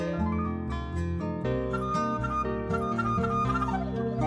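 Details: Plucked-string and flute-like music plays throughout, with layered sustained notes and no animal sounds.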